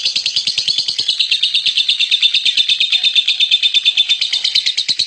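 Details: Champion lovebird delivering an unbroken, rapid, rattling trill of high buzzy notes, about three per second bunched into a fast stutter, steady in pitch and loudness throughout.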